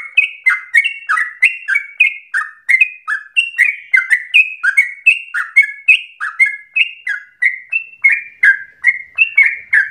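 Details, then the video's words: Lure song of a yellow-vented bulbul for prompting other bulbuls to sing long and rapidly; bright, bubbly chattering of quick slurred notes pours out continuously, some rising, some dropping, in a clean recording. "PANCINGAN TERBAIK agar trucukan menjadi gacor ropel nafas panjang"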